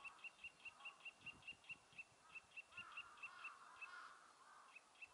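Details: Eurasian nuthatch singing in Meiji Park, Nemuro, on 3 April 2020 while inspecting a tree cavity as a nest site gives a long series of clear, high, piping notes, about four or five a second on a steady pitch, over soft rustling and faint lower background sounds.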